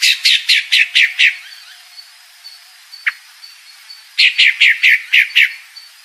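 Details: Female pale-breasted thrush calling: bursts of five or six harsh, descending chirps in quick series, a pause with one lone note, then another rapid series.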